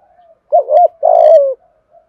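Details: Spotted dove lure call, a close, loud phrase: a rounded double coo, then a long rough coo that slides downward, with a soft hum of distant cooing before and after.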